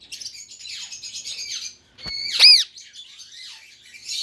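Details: Indian ring-necked parrot kept as a pet gives one loud, sharp, ringing squawk sliding downward, set against softer harsh chattering before and after.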